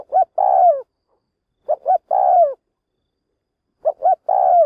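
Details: Decoy spotted dove calling to draw wild doves into a trap, three phrases about two seconds apart, each a pair of brief rising coos followed by a long, purring coo dropping at its end.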